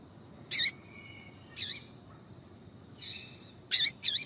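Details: A female double-collared seedeater gives harsh, sharp chirps with downward-hooked tails, five notes irregularly spaced, used to provoke a male to sing; steady low background hum.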